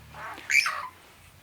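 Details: At a bush camp around 4 pm on an overland trip through Africa, with campers nearby, a Burchell's Starling that had called all day gives a fainter rasping note, then a single harsh, grating squawk dropping in pitch at the end.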